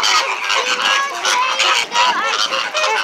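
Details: Loud flamingos kept at SeaWorld honk together, their harsh, nasal calls overlapping in bursts with a few brief dips between groups of calls.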